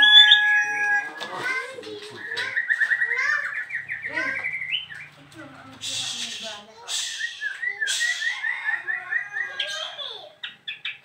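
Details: Caged bird, freshly arrived, chattering restlessly right after its cover comes off, pouring out rapid trilled phrases, quick rattling runs and harsh bursts with scarcely a pause.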